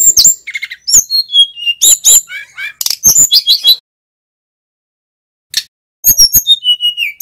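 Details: Male mountain flycatcher in full, loud song, used as a lure to teach young or wild-caught flycatchers: rapid bursts of high, sharp chirps, whistled downslurs and twittering notes, pausing about two seconds before resuming with bright falling whistles.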